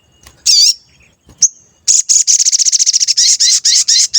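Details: Sooty-headed bulbul in full song, used as a lure to make others sing and respond: a high curved whistle, a brief note, then a fast run of buzzy, harmonic chirps and stuttered notes that grows louder.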